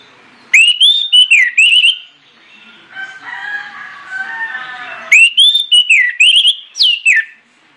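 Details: Orange-headed thrush singing hard as a lure meant to set other birds singing. Two loud phrases of clear, looping whistled notes with a softer, chattering warble between them.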